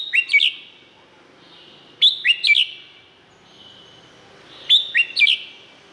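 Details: Red-whiskered bulbul song from Thailand for exciting other birds: three repeated phrases of about four sharp whistled notes, rising then stepping down, every two to three seconds, with echoing tails and a low murmur.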